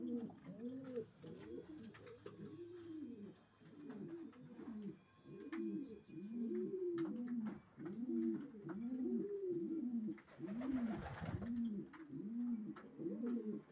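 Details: Racing pigeons cooing in chorus. Dense, overlapping bowed coo notes roll almost constantly, with a burst of hissing noise near the end and occasional clicks.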